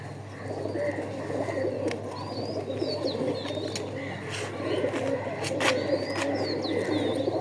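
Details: Low, bubbling pigeon coos run without pause. Repeated mid-pitched chirps and high sliding whistles from other birds sit above, with occasional taps.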